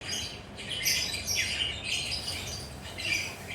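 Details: Lovebirds perched and relaxed, chattering continuously in the lively ngekek style: harsh, high squawks and scratchy twitters in overlapping bursts, over a steady low background hum.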